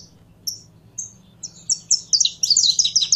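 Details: Saffron finch kept in a cage and being warmed up, starting with spaced single high chirps that speed into a dense, accelerating string of sharp notes.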